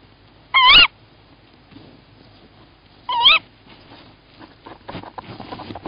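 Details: Tawny owl male calling at a nest in Estonia, evening of 1 April 2018, with one egg in the nest as the female leaves. Two sharp, wavering calls come roughly 2.5 seconds apart, followed by scratchy rustling and shuffling sounds.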